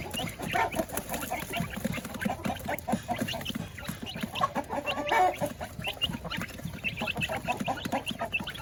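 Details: Village chickens kept in a coop alongside laying hens at feeding time, a flock clucking densely and continuously, overlapping short clucks and squawks with a louder burst around the middle.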